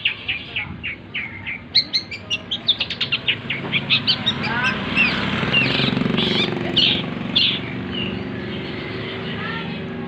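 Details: Long-tailed shrike delivering a medley of borrowed material: a rapid run of clipped chirps and trills, then a denser, noisier passage of scratchy notes and warbles.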